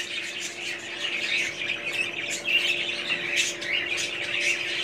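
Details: Many budgerigars chattering, rough squawky notes and twittering chirps mixed in a steady noisy flock sound, over a low background hum.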